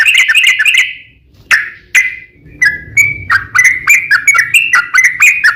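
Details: Lively song of a sooty-headed bulbul, used as a lure to get other bulbuls singing: a quick bubbly burst, two sharp isolated notes, then a steady run of short whistled, slurred phrases about three per second.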